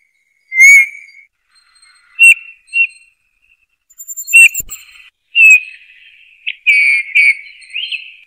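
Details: Eurasian bullfinch song: soft piping whistles and short fluty notes in loose phrases, some slurred and slightly wavering, with a few brief clicks, in a quiet setting.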